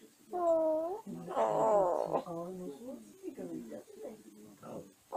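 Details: Bedtime babbling from a caged African grey parrot settling down indoors: a clear steady whistle-like note, then a loud wavering, warbling phrase, followed by softer mumbled syllables.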